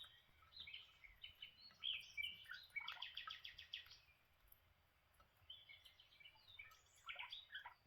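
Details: Lineolated parakeets having breakfast, giving bursts of high chirping chatter with rapid buzzy pulsed trills, notes clustered between brief pauses and sliding down in pitch, faint low background hum.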